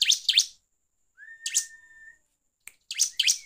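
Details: Bar-winged prinia song used as a lure to rouse other prinias: short bursts of two or three scratchy chirps split by a pause, with a long level whistled tone between them.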